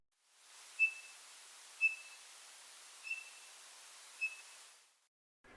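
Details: Townsend's Solitaire in ponderosa pine forest on a late October morning, giving heep calls to defend its winter juniper supply: four single, pure, high whistled notes about a second apart over a steady soft hiss.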